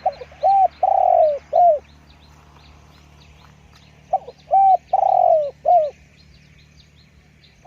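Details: Loud, close spotted dove giving two full cooing phrases about four seconds apart. Each phrase is a brief lead note, a mellow coo, a long drawn-out downslurred coo and a shorter falling end. A low steady hum and faint high chirping sit behind.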